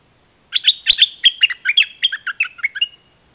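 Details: Decoy song of a dok taeng bird, recorded to train birds and lure others: a fast chain of around twelve crisp, high chirps lasting two and a half seconds, notes slightly falling, with no other sounds.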